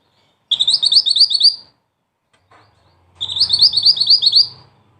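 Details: Mantenan songbird giving two rolling phrases of rapid, high, slightly rising notes, each about a second long, with a faint low rumble under the second phrase.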